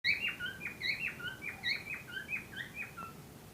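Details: Cockatiel pair ready for breeding: a lively run of short chirps and whistled notes, many dipping or bending in pitch, from more than one bird, with faint background hiss.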